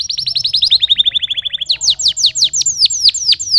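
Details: Canary song with a quick trill of repeated chirps gliding slowly lower in pitch, then a series of sharper downward-sweeping notes repeated in steady rhythm.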